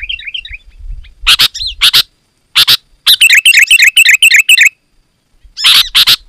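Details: Sooty-headed bulbul song meant to draw wild birds close: a soft warble, harsh rasping notes, then a rapid train of bright, bubbling phrases, a pause, and a final pair of harsh calls.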